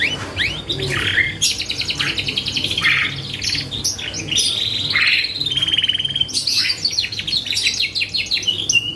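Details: Loud canary song as a lure to provoke other birds: upswept whistles, long fast rattling trills, and held bright notes alternating with chirp bursts, nearly continuous throughout.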